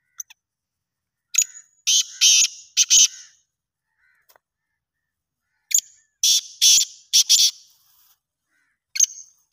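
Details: Black francolin calling in Pakistan: two loud harsh, grating phrases of four or five rasping notes each, about four seconds apart, with a further note beginning at the end; otherwise quiet.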